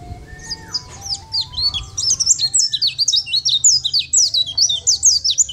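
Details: Sunda white-eye song used to train other birds to sing: opens with a few plain steady whistled tones, then a bright, rapid series of high slurred chirps repeated in quick bursts, roughly two per second, continuing to the end.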